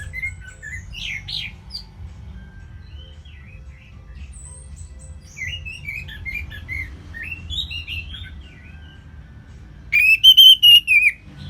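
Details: Captive orange-headed thrush (anis merah) sings soft, varied warbled phrases over a low hum, ending in a burst of loud, harsh repeated notes, used as a lure recording to prompt other birds to sing.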